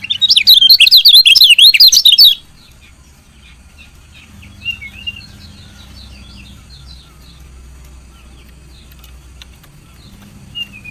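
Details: Female lemon-bellied white-eye chirping to stimulate lazy males to sing; a loud burst of rapid, wavering high chirps for about two seconds, then near silence with faint distant twitters and a low hum.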